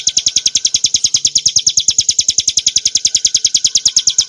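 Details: Prinia familiaris montana, mountain form of the bar-winged prinia, singing clear ngebren nembak song meant for training and provoking caged birds: continuous rapid, sharp high notes at a steady rhythm.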